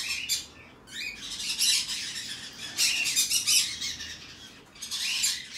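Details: Hand-tame green-cheeked conure chick of the red cheek pineapple colour variety, recorded 11 November 2019, giving harsh, raspy, noisy squawks in uneven bursts, some drawn out over about a second, with quiet gaps between.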